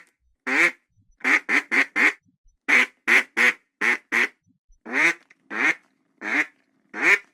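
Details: Series of coarse, nasal duck quacks, some delivered singly and others in rapid runs of three or four, in a quiet setting.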